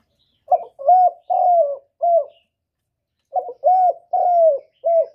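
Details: Spotted dove coo played to lure birds for trapping and to excite kept doves: two matching phrases of four mellow hooting notes each, a brief note, two longer coos sliding downward, then a short closing note, with silence between phrases.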